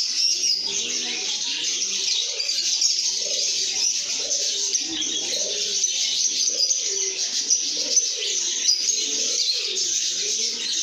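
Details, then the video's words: Lovebirds in a cheerful mood produce a dense, high, buzzing chatter of countless short chirps, with rhythmic low coos pulsing underneath throughout. "lovebirds singing & chirping sounds"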